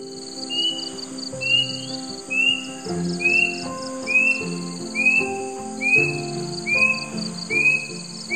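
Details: Plaintive cuckoo, known locally as kedasih, heard in forest or countryside: a steady series of clear, rising whistled notes about every three-quarters of a second, eleven in all, over ongoing music.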